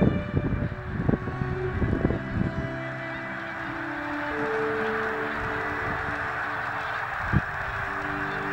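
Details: A gathering of snow geese at Bombay Hook, Delaware, gives a dense burst of honking at first, then settles into sustained overlapping nasal notes over a constant low roar, with one sharp knock near the end.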